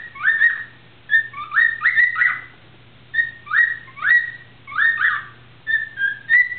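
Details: A cockatiel singing in the shower whistles a lively song of rising, sliding notes in quick phrases.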